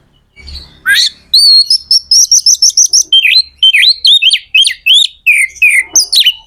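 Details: Kacer magpie-robin singing in top form to spur other kacer birds into song: a rapid series of bright whistled notes on a steady high pitch, then varied slurred and downslurred whistles, loud and clean.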